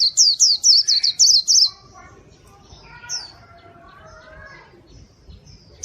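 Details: Pleci white-eye in full gacor song for luring wild birds, opening with a rapid burst of seven piercing high chirps, followed by quieter, lower drawn-out whistles and one final high note.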